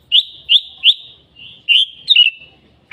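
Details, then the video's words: Red-whiskered bulbul sounding a string of clear upslurred whistles, three in quick succession, then a longer drawn note and a tumbling two-note flourish. "Noog diab kaum lauj quaj thiab seej heev"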